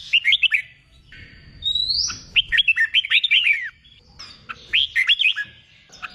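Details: Wild-caught red-whiskered bulbul song used to train birds for singing contests: bright whistled phrases of rapid rising and falling slurred notes, separated by short pauses, over a low background rumble.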